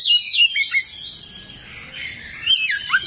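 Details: Oriental magpie-robin singing on a long tutor track for training other songbirds. Clear whistled slurs and downward swoops open and close the passage, with a softer rambling warble in the middle.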